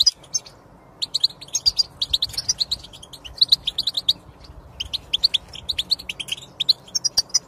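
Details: Song of a European goldfinch, used to stimulate a silent goldfinch to sing; bursts of quick high twitters separated by short gaps, with thin sibilant notes between phrases.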